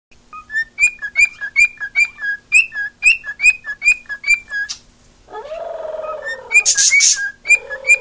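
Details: Pet female cockatiel singing for attention, a run of clear whistled notes alternating high and lower pitch about two or three per second, broken midway by a harsher buzzy warble before the whistles resume.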